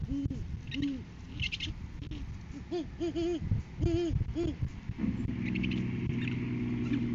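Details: Great horned owl pair on a farm nest cam on 7 January 2023, courting season, as the male brings a food gift to the female: soft, deep, rounded hoots, some closely paired, then a low steady hum and faint higher chirps.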